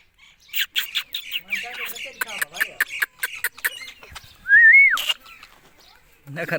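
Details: Indian ringneck parakeet giving a quick run of about a dozen harsh, screechy notes, then a loud, clear rising whistle and a final burst of squawking, over a quiet background.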